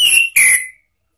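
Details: Orange-headed thrush, a lure recording for training cage birds, in the ngeplong and ngeriwik styles: two loud whistled notes, the first level and the second slightly lower and fading away.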